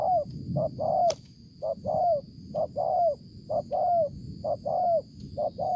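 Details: Spotted dove recorded 5 September 2020, repeating a short note and a longer downward-curving coo in a regular pattern about once a second, with a single sharp click near the start and steady background hiss.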